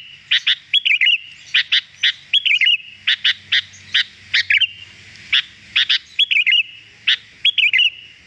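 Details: Sooty-headed bulbul (kutilang) gacor song played to lure wild birds; sharp clicks paired with short wavering whistles, repeated in a lively, steady pattern, with a faint low hum underneath.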